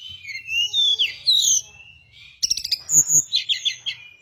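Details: Hill blue flycatcher singing, recorded as a lure for catching and training birds. Fluid high warbled phrases with rising and falling slurs are followed by a burst of rapid clicks and more quick twittering.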